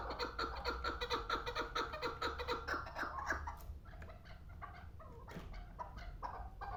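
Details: Pamir chukar partridge, a two-year-old hunting bird, calling in a steady run of harsh chuk notes about twice a second, then breaking into looser, irregular clucks against a low background hum.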